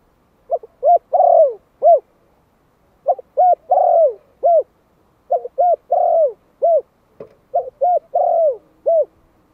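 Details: One-year-old Malai spotted dove, a decoy bird in Vietnam, calling to lure wild doves. It gives four low cooing phrases. Each has two short coos, a long drawn-out drooping coo, then a final short coo, with brief pauses between phrases.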